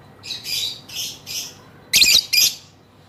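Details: Female lovebird giving a long ngekek chatter: a string of harsh, raspy squawking bursts, four moderate phrases followed by two louder, denser screechy bursts, all high-pitched with no other sounds.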